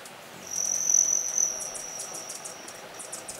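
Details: An adult male Broad-tailed Hummingbird leaving a feeder at Miller Canyon, Arizona, on 19 September 2010 makes its distinct wing sound, a high, thin, metallic cricket-like trill held about two seconds with faint rapid ticks.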